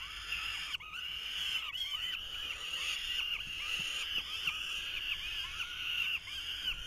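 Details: Nestling falcons in 2023 beg while the male tries to feed them; overlapping, nearly unbroken harsh screeching from several chicks runs throughout, with faint clicks.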